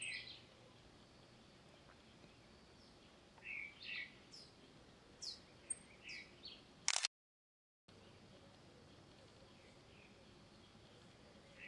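Ruby-crowned Tanager giving sparse, high, sharp chirps spaced a second or more apart over a soft background hiss, with a brief silent gap partway through.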